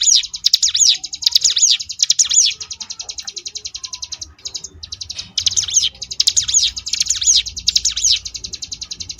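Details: Ngebrem-style song of a Sunda bush warbler (ciblek gunung), a tutor recording for contest birds: high rapid trilled chatter with looping whistled sweeps in bursts, a brief gap near the middle, then rattling again.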